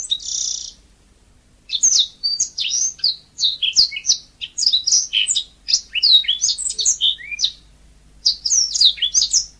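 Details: Yellow-fronted canary giving natural song: a brief buzzy note opens, then long bursts of fast, varied whistles, chirps and downslurred notes, high and energetic, with short pauses between strophes.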